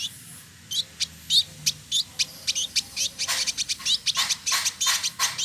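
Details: Male village indigobird, a caged bird in Bandung, West Java, Indonesia, giving spaced high chirps and a thin whistled note, then quickening into a run of harsh buzzy notes and sharp chips.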